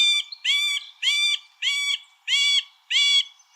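Middle Spotted Woodpecker giving six nasal, drawn-out squealing notes, each rising slightly and repeated steadily about every half second; nothing else is heard.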